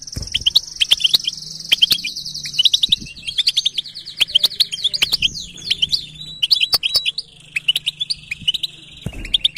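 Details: {'text': 'European goldfinch song, fast liquid twittering with buzzy trilled phrases and sharp tinkling notes running almost continuously, punctuated by clicks and a faint low hum beneath.'}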